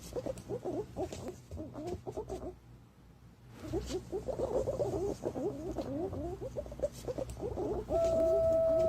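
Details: Green pigeon calls used as a lure: rapid bursts of twisting, warbled whistles in a middle register. A brief quiet gap comes before a louder run, which ends in a long, steady, pure whistled tone.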